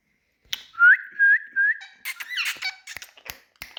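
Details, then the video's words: Male Indian talking parrots whistle three loud, clear rising notes about every half second, then break into raspy, harsh chattering squawks and clicks. "Indian🌶Talking Parrots"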